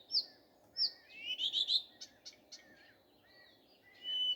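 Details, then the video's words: Morning song of a common nightingale: sharp high whistled notes, then a quick series of rolling, looping phrases, scattered short notes and a sustained high whistle at the end, against a quiet background. "Nightingale singing. Утренее Пение Соловья."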